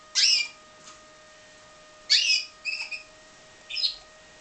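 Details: Captive-bred pied Timbrado canary calling in a loose series: a loud harsh chirp, a pause, then another harsh burst followed by quick tonal notes and a final chirp, over a faint hum.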